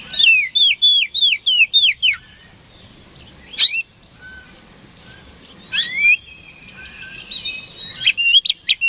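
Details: Oriental magpie-robin (kacer) song meant to provoke rivals into answering: a fast series of repeated downslurred whistles, a pause, then scattered sharp upward sweeps and chattering notes.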